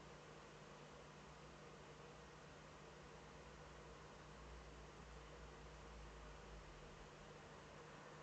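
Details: Constant hiss and low electrical hum from a quiet feed, with no animal voice.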